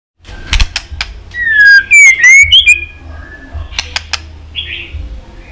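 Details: White-rumped shama twittering song of many voices, used to provoke another shama into fighting song: clear whistled notes sliding down, then loud rising whistles and short clicks, with sharp ticks before and after.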